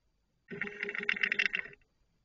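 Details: Barn owls recorded at night, 04:38 on 19 July 2023; one harsh, raspy, hissing screech lasting about a second and a quarter, broad and rough, rising out of and falling back into silence.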